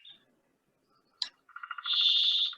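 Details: A male Brambling on its breeding grounds in Finland or Norway in June, singing from a pine treetop, gives its song, a single drawn-out, nasal, buzzy wheeze lasting about a second, preceded by a sharp knock from a woodpecker.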